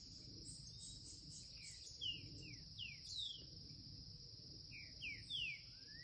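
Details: Curricutil song from a young Green-winged saltator: quick groups of sharp downward-sliding whistles, paused and repeated, ending on a rising note, with a continuous high cricket-like hum throughout.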